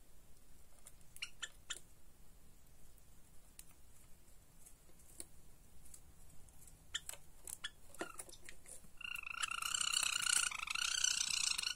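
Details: Java sparrow (Lonchura oryzivora) chicks 49 days old giving scattered sharp clicks and chips, then a dense, rapid, bright chattering of overlapping calls near the end.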